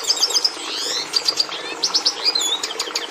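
Red Siskin song: a rapid, continuous jumble of high twittering notes, buzzy trills and short whistled phrases, varied rather than musical, with no pauses.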